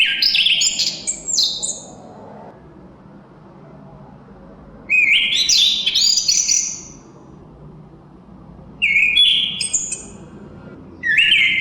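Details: Three rich, jumbled whistled phrases from a chestnut-capped thrush, each about two seconds long and spaced several seconds apart. Quick high twitters mix with clearer sustained whistles over a steady low background hiss of wind.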